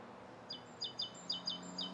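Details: Rose-coloured Starling in Bishopston, Bristol, on the morning of 29 November 2014. Short, high chirping notes in quick pairs, roughly two per second, over faint low background hum.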